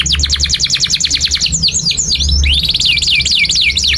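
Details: Canary in long 'gacor' song, used as master song for young canaries and for canaries that have stopped singing: rapid even trill of high notes, then swooping downslurred whistles and a fast rising-falling trill, over a low steady hum.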